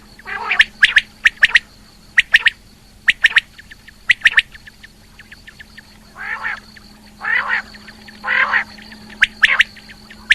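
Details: Female rain quail giving paired and tripled sharp notes, then three slower, coarse rasping calls near the end; recorded in 2020 with a low electrical hum.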